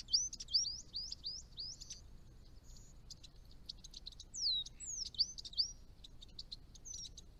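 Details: A Chestnut-rumped Thornbill at ponds in northern Victoria, at the edge of its range, gives high, thin twittering: quick rising-falling squeaky notes in short bursts, with faint background hiss.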